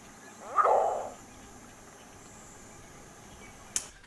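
A green heron gives one harsh, rough, almost bark-like call lasting about half a second, followed by near silence and a brief click.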